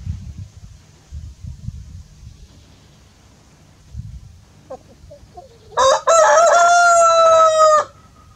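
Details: Morning crow of a rooster: a few low thumps and faint clucks, then a loud full cock-a-doodle-doo lasting about two seconds, rich and harmonic, opening with a short note and held steady before dropping away.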